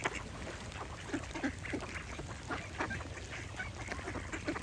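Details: Duck quacking in short, low, nasal bursts repeated irregularly over a steady background hiss.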